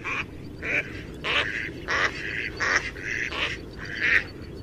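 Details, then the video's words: Duckling in a pond quacking in quick succession, about seven short, nasal, buzzy bursts in under five seconds, spaced unevenly, over a low steady background hum. "Duck Sound duckling in the pond -duck quack"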